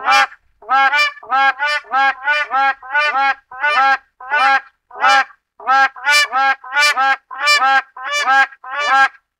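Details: A black crowned crane gives loud, nasal, goose-like honks, about fifteen in quick succession, some in pairs, with no other notable sounds.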